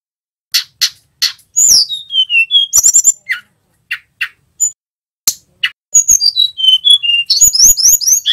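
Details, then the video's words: Mountain flowerpecker male, a training lure: spaced sharp ticks at first, then a phrase of high whistles sliding downward, more isolated clicks, and a final dense run of rapid, bright, falling notes. "Suara tledekan gunung gacor"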